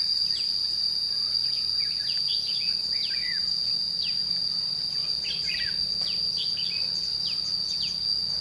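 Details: Red-whiskered bulbul recorded during trapping at Chua Huong, 22 June 2016: a series of sharp, falling chirps and brief warbled phrases repeated roughly every second, over a constant high-pitched insect drone.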